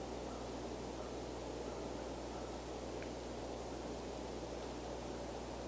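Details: Continuous even hiss over a low steady hum, with no animal calls standing out.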